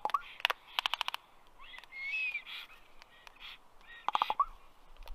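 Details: A common raven that landed on a black stork nest tree in Karula National Park, southern Estonia, at 4:33 pm on 27 May 2023 gives rapid bursts of dry, hollow clicks between softer gurgling and whistled notes.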